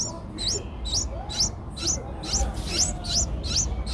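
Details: Streak-eared Bulbul nestlings, eight days old, in Ubon Ratchathani, Thailand, on 10 April 2023, giving a quick run of high, thin, upslurred chirps, about two each second, over a low background rumble.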